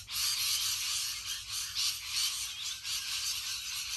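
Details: Huge flock of rainbow lorikeets producing a dense, harsh, high screeching chatter that rolls on without a break, louder swells recurring every second or so.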